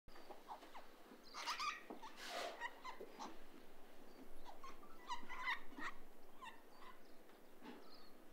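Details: A flock of Major Mitchell's (pink) cockatoos swinging on an old telegraph line give harsh, quavering screeches in irregular bursts, several birds overlapping, against a soft steady hiss.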